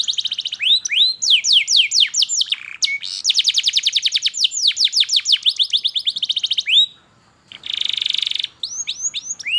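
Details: Lure song of a canary, used to teach young birds to sing and to coax silent canaries: fast rolling trills and falling slurred notes, a brief pause, then a flat buzzy trill and more rising whistles.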